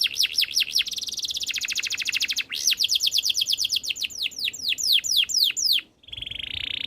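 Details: Canary in full song: rapid repeated down-swept notes in quick rolls, shifting between fast trills and slower swept whistles, then a short pause and a steady buzzy note.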